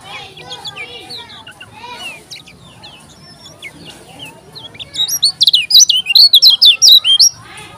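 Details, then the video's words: Lombok yellow-crowned bulbul singing: varied chirpy whistled phrases at first, then from about five seconds a loud run of rapid, repeated high up-and-down notes; faint other birds behind. "KECIAL KUNING TAK PUNYA NAMA, JOSS NGAMUK‼️"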